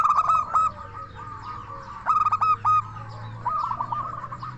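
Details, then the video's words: Local zebra dove from Indonesia in full song, meant to lure other doves into answering. Quick stuttering pulsed coos in two loud bursts, separated by softer rolling cooing, with a low steady hum underneath. "Perkutut Lokal Gacor SUARA KRISTAL Ahlinya Bikin Semua Burung Perkutut Langsung Nyaut"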